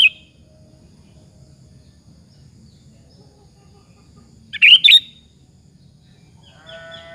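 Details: Sooty-headed bulbul singing as a lure to provoke other bulbuls; mostly quiet low background, then a single loud bubbly double phrase midway, a clipped note at the start and a faint chirping at the end.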